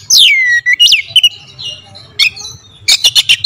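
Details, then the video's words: Oriental magpie-robin singing a lure sound: a loud whistle dropping steeply, short upslurred notes, a quieter warble, then a rapid run of sharp staccato notes at the end, over a steady low hum. "PANCINGAN KACER POWER JELAS TEMBAKAN PEDAS"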